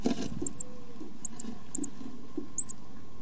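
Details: Great tit chicks being fed by their parents; four short, thin, very high squeaks, each slightly arched, spaced unevenly across three seconds over a soft low rumble.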